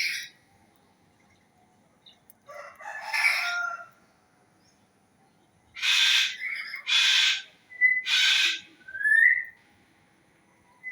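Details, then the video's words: Bird giving bursts of harsh, rasping, broadband calls, a short scratchy phrase, then three loud raspy calls in quick succession, with brief clear whistled notes and a rising whistle between them; the background is otherwise quiet. "Hari Ini Dengarkan Suara Burung"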